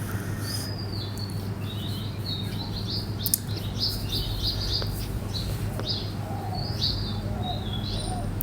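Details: Morning bird chirping on a rooftop garden in Bangladesh. Many short, high chirps and brief twittering phrases come from several birds throughout, over a constant low hum with occasional clicks.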